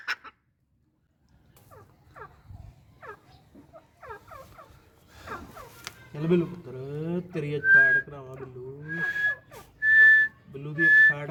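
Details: Grey francolin, a male kept with his female, gives short, sharp whistled notes repeated about once a second and growing louder, with a person talking over the later calls.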